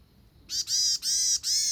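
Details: A small bird gives four loud, harsh, rasping notes in quick succession. Each lasts about a quarter second, with short gaps between them, over an otherwise quiet background.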